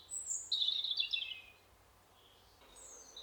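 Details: Short burst of European robin song in a spring forest: a high, sliding, sparkling phrase, then a quiet pause and a fainter thin reply.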